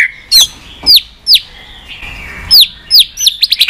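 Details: White-rumped shama, noted for clicking tail-flick calls and used to stimulate training birds: sharp high downslurred notes spaced irregularly, ending in a quick stuttering burst.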